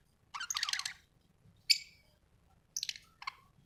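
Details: Budgie making a buzzy, chattering warble, then a single sharp chirp, followed by two short scratchy bursts near the end.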